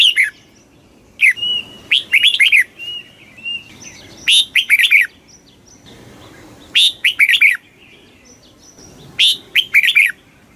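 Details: Very fast kích bổi song of a red-whiskered bulbul. About five quick, loud warbling phrases of slurred notes, separated by thin, high, steady whistles and brief silences.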